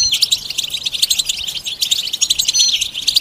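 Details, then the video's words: Goldfinch betbeta and setseta song, mating and readiness calls meant to rouse a silent male to sing: a lively, unbroken stream of sharp, high chirps and tinkling notes delivered at a rapid pace. "بتبتة فعالة و ستستة فتاكة رهيبة في علاج صمت الحسون"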